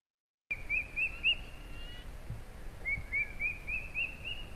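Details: Fork-tailed drongo-cuckoo, a summer migrant to central India whose call resembles a crested hawk eagle's, giving shrill, rising whistles, about three per second, in two runs over a low background rumble.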